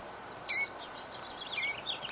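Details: Two high, sharp killdeer cries about a second apart from a bird defending her eggs at Jackson, New Jersey, 2008, with steady faint hiss behind.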